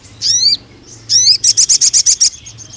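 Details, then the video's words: Sogon (ruby-cheeked sunbird) tutor song for young speckled males: two swift, wavering downslurred whistles, then a quick series of about nine evenly spaced high piercing chips. "BURUNG SOGON GACOR NEMBAK PANJANG UNTUK PANCINGAN MASTERAN TROTOL JANTAN"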